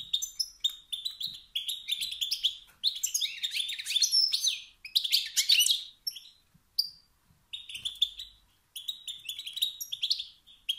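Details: Male wild European goldfinch calling to provoke rivals into singing: rapid tinkling chirps and rising nasal notes in phrases of about two seconds, with a brief silence before the final bursts.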